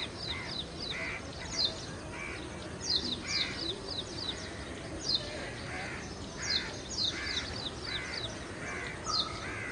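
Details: Ashy prinia recorded from a balcony over a shallow water catchment by the Gadhi River, Panvel, Maharashtra, India: high descending notes repeated in short groups roughly every one to two seconds, alongside lower buzzy calls and constant background noise.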